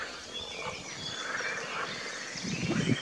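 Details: Young black-crowned night heron in Kotterbos on 22 May 2022, giving a short, harsh, low rasping call near the end, set against a busy chorus of high, whistled songbird song.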